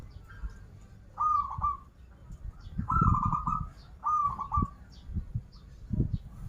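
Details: Local zebra dove from Banten singing rolling trilled coo phrases in three bursts, each with a stuttered ending, accompanied by low knocking sounds and background noise.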